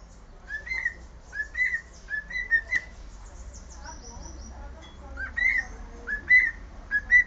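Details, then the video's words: Pet cockatiel whistling the Sport Club anthem: clear whistled notes near the same pitch, rising and falling in short phrases of two or three notes, repeated at an uneven pace with brief gaps and a quiet room behind. "KALOPICITA CANTANDO HINO DO SPORT"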